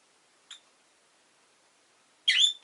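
A rosy-faced lovebird gives a brief high chirp, then after a pause a harsher, louder squawking chirp with a sharp click at the end.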